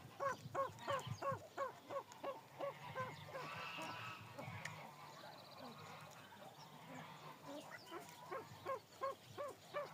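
Pheasants give short, rising, slightly nasal notes, about three a second, with several birds overlapping midway and a faint background murmur.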